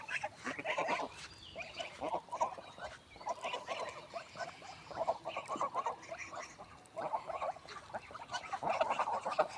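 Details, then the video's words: Swans in a village give a run of nasal, honking calls in irregular bursts, several birds overlapping with a harsh, trumpeting quality. "Swan original sound"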